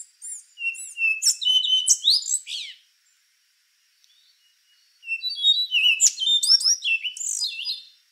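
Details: Two long phrases from a rufous-brown solitaire, each nearly three seconds of rapid fluty whistles, steep slurs and chattering trills, divided by a two-second quiet break.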